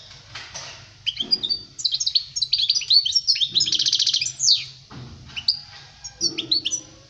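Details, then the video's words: European goldfinch singing to tutor young birds: quick high twitters building into a dense buzzy trill, then shorter tinkling phrases after a pause, low hum in the background. "Chant chardonneret pour les jeuns لتعليم صغار طائر الحسون"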